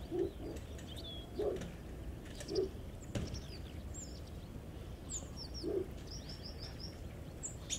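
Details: Backyard hen with chicks in a garden: low soft clucks spaced about a second apart, with thin high peeping notes scattered above and steady outdoor background noise.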